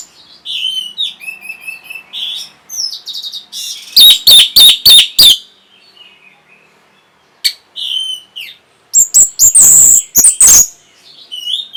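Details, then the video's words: Orange-headed thrush singing, used to arouse breeding condition and provoke answering song: quiet, thin whistled phrases open, then loud clusters of harsh, rapidly repeated rasping notes, a pause, and further whistles and scratchy bursts. "NYANYIAN BURUNG PUNGLOR PEMBANGKIT BIRAHI AGAR KENCENG YANG PASTI 100% BAKAL NYAUT"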